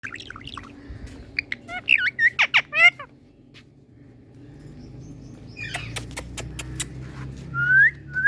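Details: Pet Indian ringneck parrot in a happy mood: harsh squawky notes and rising whistles around the second to third second, later a clicking burst and two loud upslurred whistles near the end, with low room hum.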